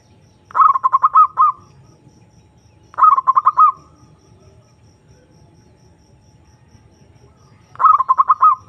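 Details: Zebra dove, a lure recording used to call a rival and provoke a response, giving three bursts of rapid staccato cooing notes in quick succession, each about one second long and separated by pauses of roughly two to four seconds, with faint low background rumble.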